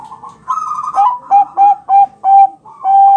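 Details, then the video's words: Champion Bangkok zebra dove coos, used as a lure to make other doves answer: a warbled opening, then five clear, evenly spaced staccato coo notes and a longer final tone. "Suara perkutut bangkok juara masteran ampuh bikin langsung nyaut gacor"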